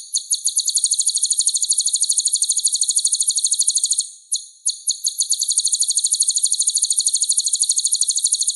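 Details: High-pitched sunbird song used as a tutor recording: fast, even strings of shrill notes repeated about three times a second, broken once by a brief pause, otherwise continuous and clean.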